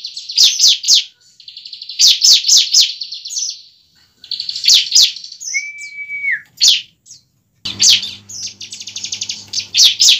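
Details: Bar-winged prinia in fighting song, meant to provoke a young bird into song: rapid high chip series and sustained buzzing trills. A clear falling whistled note sits midway, and faint low hum appears near the end.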